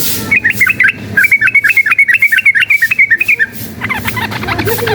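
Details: A string of crisp, evenly paced notes from a yellow-vented bulbul, sung in a rapid combative style used as a lure for training fighting birds. Jumbled, noisier chirping follows at the end.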